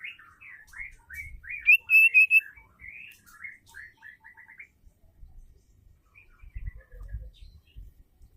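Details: Female white-rumped shama sounding off to provoke males to sing: a quick run of clear, varied whistled notes, brightest near two seconds, trailing into a string of repeated short notes, then quiet with low thumps.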